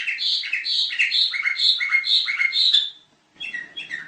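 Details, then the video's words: Sooty-headed bulbul singing a series of bright, chirpy two-part phrases, about three seconds of repeated warbled notes, then a short pause and more scattered chirps. "Kicau Kutilang"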